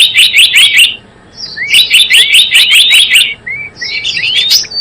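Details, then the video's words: Java sparrow lure recording for trapping birds: a fast run of sharp chips, a short pause, then a long chattering series with rising whistles, ending in thin high notes and a few clicks. "SUARA PIKAT BURUNG GELATIK BLOONG"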